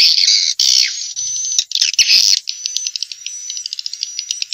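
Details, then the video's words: Vietnamese swiftlet calls for luring swiftlets into bird houses: loud rasping chirps with downslurred notes, then a quick, fading sequence of short clicking pulses. "Tiếng chim yến kêu đã được chứng minh ||Tiếng chim yến kêu từ Việt Nam"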